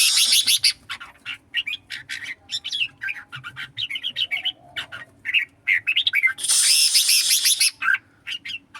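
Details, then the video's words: Red-whiskered bulbul singing in a contest, giving a steady stream of short, lively whistled and warbled phrases. Nearly a second of broad, hissing, fluttering noise breaks in near the end. "Chào mào songkon đấu hót"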